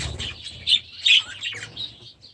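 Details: Young budgerigars in their new aviary, last year's babies now grown, give a brief run of soft high chirps with two louder squeaky notes in the middle.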